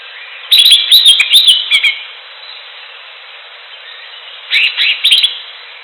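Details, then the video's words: Greater green leafbird song recorded in nature: a lively string of rapid, high, sweet chirps lasting about two seconds, silence, then a shorter repeat of similar bright notes near the end. "CUCAK IJO SUARA ALAM ATAU ASLI"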